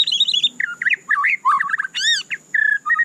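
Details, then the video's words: White-rumped shama singing a fast, varied medley of sweet whistles, rapid trills, chattering notes and a sharp arching upsweep, with brief pauses between bursts; a steady faint high-pitched whine runs underneath. "Dengarkan suara candu Murai Batu ini seketika murai Anda langsung GACOR"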